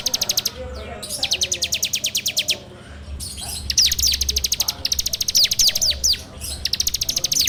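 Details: Bar-winged prinia in a full 'ngebrem' training-lure song, Android phone recording: long, fast, buzzy rattles of high notes, broken by brief gaps and mixed with a few sliding whistles.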